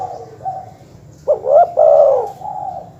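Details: Dove call from a recording meant to provoke rival birds: one loud phrase of a short upward-sliding note and a long, smooth, slightly falling coo, with softer notes before and after.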